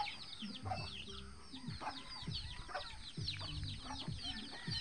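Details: Mama hen and her eleven free-range chicks; thin falling peeps continue above low, buzzy rumbling sounds and intermittent deeper clucking.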